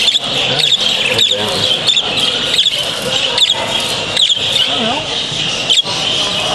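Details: Many budgerigars at a 2012 club show at Doncaster Dome chatter together in a steady high warbling din, with people talking nearby.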